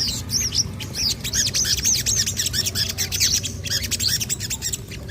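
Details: After hearing a strange sound, a crested jay sings energetically: quick strings of high, sharp, looping chirps and chatters, tightly packed with brief pauses, against a faint low rumble.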